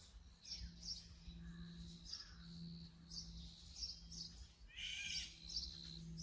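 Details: Brown-eared bulbul, captured on a Sony A7M3 camera: a run of short high chirps and brief mid-pitched notes, then a loud harsh rasping screech, over a constant low hum.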